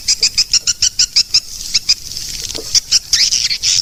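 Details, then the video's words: Swiftlet calling sound: regular high chirps repeated several times a second, running into a denser buzzy chatter, over a low background hum. "Suara panggil sembilan belas detik"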